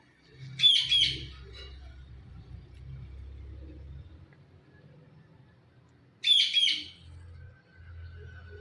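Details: Blue ringneck talking parrot giving a shrill, harsh double screech early on and again about five seconds later, with quiet rumbling room noise in between.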